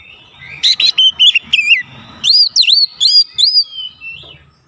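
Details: White-rumped shama singing, used as a provoking lure: a fast run of clear, looping whistled notes, about a dozen in quick succession, with soft low background noise.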